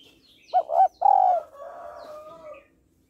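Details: Female spotted dove calling to excite males: two short clipped notes then a longer sustained coo, trailing into a soft, drawn-out lower murmur.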